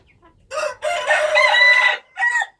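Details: Wild chicken rooster giving a loud, drawn-out crow, harsh and strained at the start and rising to a steady held note, ending with a short final burst.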